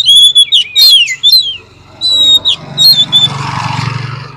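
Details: Oriental magpie-robin song used as a lure to stir lazy birds into quick replies: loud, clear whistled phrases with slurred, rising and falling notes and brief buzzy bursts, broken by short pauses, over a steady low hum.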